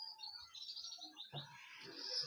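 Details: A canary for sale at a Sunday bird market in Karachi, Pakistan, praised as a strong singer, sings a rapid run of high twittering and trilled notes, with a low thump and background chatter near the end.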